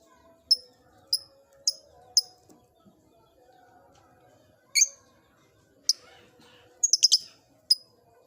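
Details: Lovebird in an old cage: a row of four sharp, high chirps spaced about half a second apart, a pause, then scattered squeaky chirps and a quick double note, over faint low background noise.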